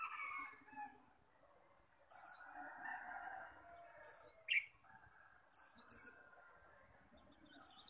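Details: Kept Japanese white-eyes in a morning singing contest after rain: sharp, high, falling whistles recur every one to two seconds, one lower rising-falling note in between, over steady background twittering from other birds.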